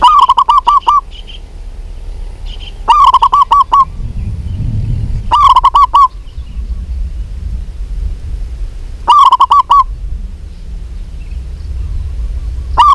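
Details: Calling for a male, a local female zebra dove repeats short bursts of rapid, hollow, staccato notes at a steady pitch, five runs spaced a few seconds apart, over a low rumble.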